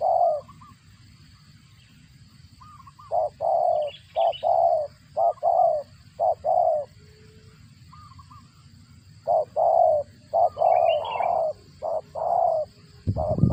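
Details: Spotted dove feeding its chicks, its voice likened to a cricket: short, low, hoarse coo notes in uneven bursts, with pauses between groups, over a soft low rumble.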